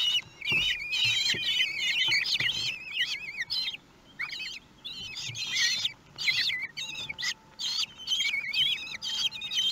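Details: Kestrel family at its nest in Théding, France, on 2 June 2020, as a large prey is brought for the meal; nest webcam. Rapid, trilling, zigzagging whistled calls pour out almost continuously, dropping to short quiet gaps.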